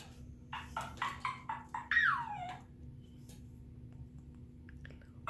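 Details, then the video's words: An African grey parrot whistles indoors: a quick run of five or six harsh, chattering notes, then a loud whistle that slides downward, over a steady indoor hum. "African grey parrot sounds ,whistling"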